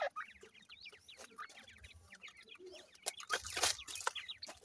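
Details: Grey francolin chicks at feed give a rapid run of short, thin rising peeps, followed by louder clattering clicks near the end.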